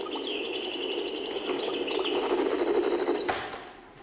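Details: A European goldfinch in Algiers (El Biar) sings a fast, liquid twitter of tinkling high notes without pause, over a low indoor hum and a brief rustle; described as improvising, perfecting a love song, and imitating other birds.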